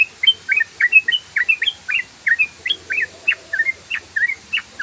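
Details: Yellow-vented bulbul giving a fast 'ropel' song for luring: a continuous string of crisp, liquid notes slurring up and down, evenly spaced and rapid, over quiet background noise.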